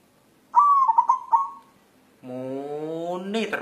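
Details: White zebra dove, a local wild bird seeking a mate, gives a gentle bubbling coo of a long note and rapid warbled trills, followed after a pause by a different low droning rising sound.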